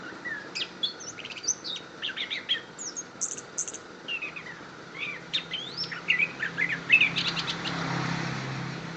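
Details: Kediri orange-headed thrush delivering a busy, rapid medley of sharp chirps, slurred whistles and buzzy notes, rising in loudness near the end against a hissing background.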